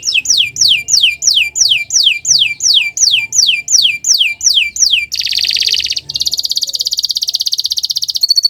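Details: Canary in full morning song used as a tutor for other birds, opening with about a dozen repeated downward-swooping whistles, then shifting into fast, dense buzzing trills and a rapid chattering roll.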